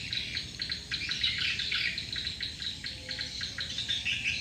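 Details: Swiftlets massing around a lure call; a pulsing wash of high, rapid chirps rising and falling in loudness, with a faint lower whistle near the end.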